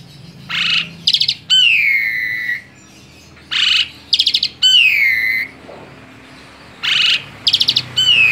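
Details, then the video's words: Tame Asian pied starling singing indoors: loud bursts of buzzy, harsh notes alternate with clear descending whistles, phrases returning every few seconds with quiet gaps between. "Kicau burung jalak suren jinak total"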